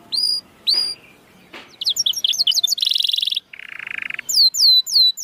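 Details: Canary song played to stimulate lazy or stalled canaries to sing and raise their breeding drive. Bright upslurred whistles, rapid stuttering notes, a dense buzzy trill and a lower rolling buzz, ending in repeated swooping whistles.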